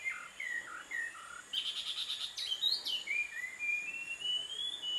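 A Visayan shama sings a varied phrase: short, clear, down-slurred whistles, a burst of harsh buzzy notes, then a long, thin whistle that rises slowly. Faint background hiss.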